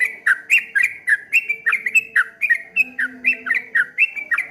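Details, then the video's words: Trucuk kebo, the streak-eared bulbul, delivering a ropel ngombak banyu song: a fast, rolling string of clear downslurred whistles, evenly rippling without pause, with a faint low hum underneath. "suara burung trucuk kebo bunyi ropel ngombak banyu"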